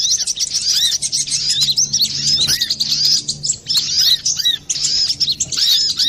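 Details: Clear, busy song of a brown-throated sunbird, used for luring or training birds: high-pitched twittering runs with repeated curved whistled notes, nearly unbroken over several seconds.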